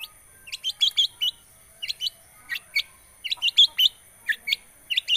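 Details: Long-tailed shrike lure recording aimed at a shrike that has gone quiet: clustered bursts of high, slightly buzzy chirps in groups of three to five, separated by short pauses.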